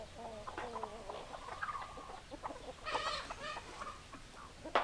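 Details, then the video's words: Hens clucking among chickens: a run of short, harmonic, nasal clucks at a mid pitch, with a brief louder squawking burst near the end. "Chicken Sounds Noises Hens Clucking Roosters Crowing"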